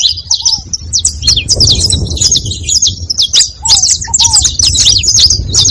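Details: Group of saffron finches making noise together, a busy stream of bright, clipped high chirps overlapping one another, plus occasional softer down-slurred lower whistles and a faint low rumble underneath.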